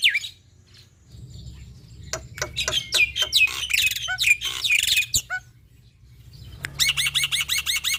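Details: Energetic song of a male black-winged myna, used to prompt reluctant mynas into song. A short high note, quiet gap, then clicks and harsh buzzy phrases, followed by a rapid rattling run of shrill repeated notes.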